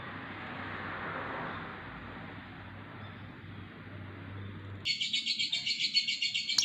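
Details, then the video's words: Lovebird singing in the 'mangasi' style: after nearly five seconds of low hum, a sudden loud burst of shrill, buzzy chirps starts, pulsing rapidly about three to four times a second until the end. "Burung Lovebird Mangasi"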